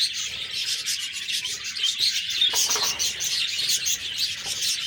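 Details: Budgies in constant high chatter, with sharp squeaks and short whistled notes standing out above a steady wash of scratchy twittering.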